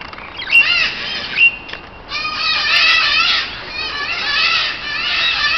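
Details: Several parakeets in an aviary at the Neues Kranzler Eck, Berlin, interacting socially. Two quick sharp notes open, then a continuous dense chatter of overlapping warbled, wavering calls carries on for over three seconds.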